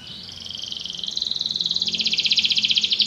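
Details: Canary singing: a rapid trill of pulsed notes high in pitch, starting soft and growing steadily louder, the pulses becoming broader and more emphatic toward the end.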